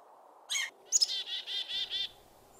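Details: Black-capped Chickadee alarm calling at a juvenile sharp-shinned hawk among jays at a feeding spot in autumn: a thin opening note, then a quick run of about six harsh, buzzy 'dee' notes, urgent against a quiet background.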